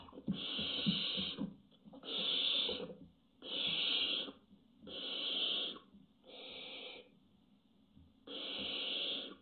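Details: Barn owls on a webcam, June 24, 2017, in intimidating behaviour: six long, rasping hisses, each about a second, coming roughly every one and a half seconds, over a faint low hum.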